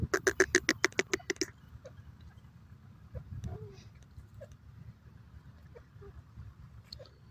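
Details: Grey francolin calling fast among lush green grass in Pakistan: a rapid burst of loud, harsh, pulsed notes for about a second and a half, then near silence with faint scattered chirps over a low background rumble.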